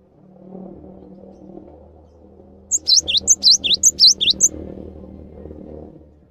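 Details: Cinereous tit, a calm and constantly singing gelatik batu used to train other birds, delivers a short burst of about four bright three-note phrases, a high whistle and two slurred lower notes, over a steady low rumble of passing traffic.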